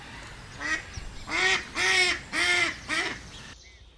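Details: Duck in Taiwan giving a run of five nasal quacks, roughly one every half second, each a harsh buzzy note with a falling tail, over faint background noise.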